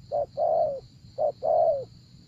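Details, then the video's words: Spotted dove used to lure wild doves, giving two coo phrases. Each is a brief hollow note, then a drawn-out coo that sags in pitch at the end, over a faint steady high hiss. "Gác Cu Gáy"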